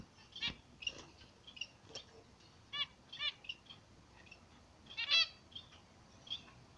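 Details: Morning sun on a zebra finch pair, whose loud, buzzy, nasal call notes come singly and in quick doubles. One note is a sharp tap. The background is otherwise quiet.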